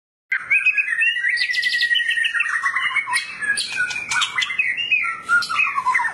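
White-rumped shama in full, unbroken song: rich whistled phrases rising and falling, mixed with harsh rasping bursts and quick chattering notes at a fast, varied pace.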